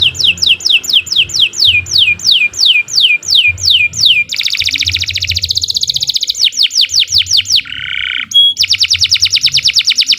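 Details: Canary performing extended song for a training master: evenly spaced downslurred whistles several per second, a dense buzzing roll, more slurred notes, a short low buzz, then a fast bright trill, with a quiet background.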